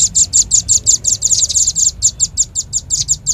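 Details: Red-billed leiothrix lure call: a rhythmic, rapid stream of high-pitched chirps, about five per second, each short, bright and sharp. The chirps hold a steady pace throughout over a faint low hum.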